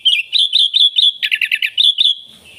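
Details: Energetic sooty-headed bulbul song meant to lure wild bulbuls: a rapid string of bright, clear chirps and short whistled notes, evenly spaced, with a denser burst of notes in the middle.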